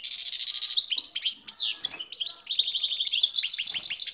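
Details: Excited male European goldfinch singing while mating with a canary: a dense buzzy trill, then sweeping whistled slurs and a fast run of bright, twittering chirps that carries on to the end.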